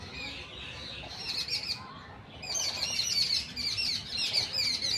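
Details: Indian birds chirping in a patch of jungle inside a busy city: bright high twittering notes in dense, overlapping bursts, fading briefly at mid-clip and then returning more strongly, over a low steady rumble of urban noise.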